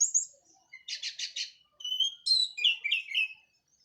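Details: Song of a local Cililin orange-headed thrush after its moult, delivered in the 'plong' and 'teler' manner: a rapid buzzy trill, then clear whistles and a run of sharp descending slurred notes. The background is quiet.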